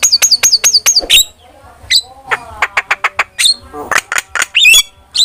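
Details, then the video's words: A starling's lure and master song for training birds opens with a fast series of repeated sharp falling whistles, then scattered clicks, rasps and twisting squeaky notes. "PANCINGAN DAN MASTERAN BURUNG JALAK"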